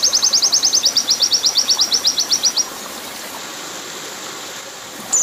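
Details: High, rapid trill of an oriental white-eye singing a 'nembak panjang' training song, its clipped notes repeating steadily for about two and a half seconds before stopping into near silence.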